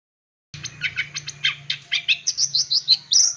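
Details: Full-isian song of a long-tailed shrike, meant to provoke young birds. Rapid chattering notes, about three a second, climb in pitch toward the end and finish on a squeaky whistle over a low steady hum.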